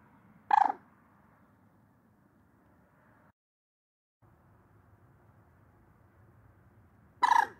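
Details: A common moorhen (Gallinula chloropus) gives two loud, abrupt, explosive croak calls, about seven seconds apart, over a faint low background hum.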